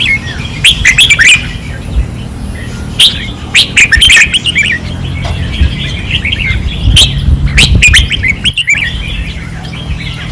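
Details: Red-whiskered bulbuls on a training perch, singing aggressively, Pattani 2024: clusters of quick bright whistles and chirps come in bursts every second or two, with a constant low rumble behind.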